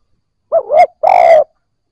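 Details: Spotted dove coo used to coax newly caught birds to start cooing: a quick two-part dipping note, then one drawn-out low coo, in silence.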